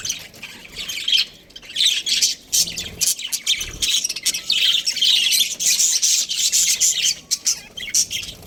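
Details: Breeding budgies chatter almost without pause, a dense warble of high, grating chirps and squawks rising and falling in loudness, with a short lull near three seconds.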